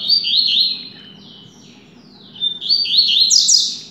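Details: Fast-singing coleiro, a caged double-collared seedeater trained for competition, gives two rapid bursts of high chirping, wavering notes separated by a pause of about one and a half seconds, with low background hum throughout.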